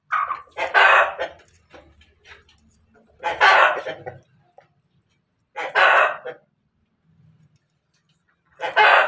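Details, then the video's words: Ayam Ketawa Bangkok and Pelung cross chicken from Banguntapan, Yogyakarta, before laying eggs: four loud, short, rough squawks spaced roughly every two to three seconds, with faint low murmurs between. "Ayam hasil persilangan ketawa Bangkok pelung berkokok mau bertelur"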